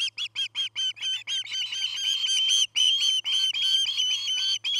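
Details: Nesting osprey pair near tree tops in Charlo, Montana, filmed by nest cam on 09-08-2018, early afternoon: a fast series of bright whistled chirps that lengthen into drawn-out, slightly rising squeals, almost continuous toward the end.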